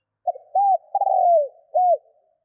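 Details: Low mellow coo of a spotted dove, played to make wild doves call fast: short opening note, arched hoot, drawn-out trill sliding down in pitch, and a final arched hoot.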